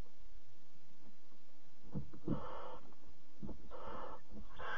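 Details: At a barn owl nest box at night, 26 July 2017, as the mother brings a caught bird for chick four: three harsh, airy hisses about a second apart, against scuffling and low thumps from inside the box.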